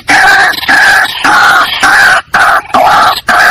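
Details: White-breasted waterhen calls used to lure the bird for hunting: loud, harsh, nasal croaking notes in rapid bursts of about two a second, separated by brief pauses.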